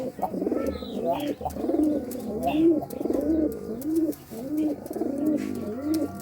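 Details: A courting pigeon coos in rolling, throaty phrases, each a swelling burble about a second long, repeated steadily back to back.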